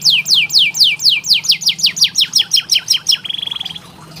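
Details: Tutor song for canaries that sing too little: clear descending whistled sweeps repeated rhythmically, accelerating into quick clipped notes and ending in a rapid, even buzzy trill, with a faint low hum beneath.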